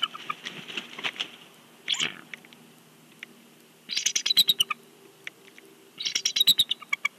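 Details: Bald eagle at a nest at Big Bear, giving high, thin, rapid chittering bursts of chirps, two trilled series separated by pauses, with softer hissy sounds and faint low hum behind.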